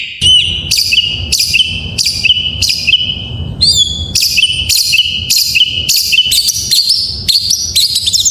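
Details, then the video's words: Magpie-robin singing in full isian style, played to make lazy magpie-robins sing: a rhythmic phrase of a clear slurred whistle paired with a harsh buzzy note, repeated roughly every 0.6 seconds, with brief varied interjections. "Suara masteran burung Kacer || pancingan KACER full isian"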